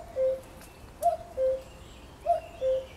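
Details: Repeated two-note call of a common cuckoo, 1 June 2020: a short upper note, then a lower sustained one, each pair about 1.25 seconds apart. Distant bird chirps and quiet outdoor ambience are also heard.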